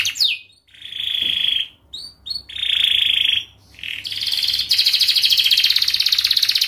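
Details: Canary song played to teach young birds to sing: separate whistled rolling trills with short pauses, building to a loud, fast buzzy trill at the end.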